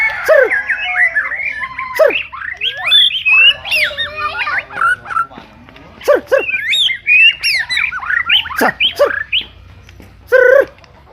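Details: White-rumped shama song: a rich, varied stream of loud whistles, slurred rising and falling phrases and sharp high notes, delivered in bursts with brief pauses, some harsher squawk-like notes mixed in.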